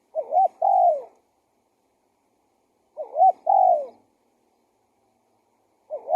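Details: Spotted dove coos played as a lure for wild doves: soft hooting phrases repeated roughly every three seconds, each a quick wavering double note then a longer sliding coo that falls away, with silence between.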